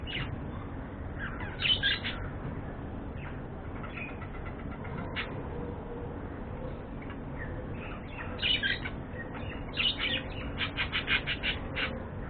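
Budgerigars chirp in short, scratchy bursts, ending in a quick run of repeated notes.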